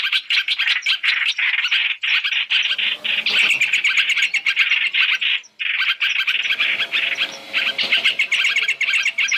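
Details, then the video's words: Chinese hwamei lure sound for trapping, a three-call mix: crowded, rapid chirping and chatter, interrupted by two short breaks before resuming at full pace. "Tiếng chim hoành hoạch (trao trảo) mồi 3 trong 1 chuẩn để bẫy"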